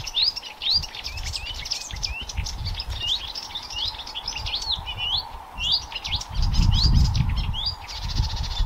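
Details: Blyth's reed warbler singing on 26 May 2024 at Haga kile, a fast, varied run of sweet whistles and chattering notes, many repeated several times, over a low rumble of background noise.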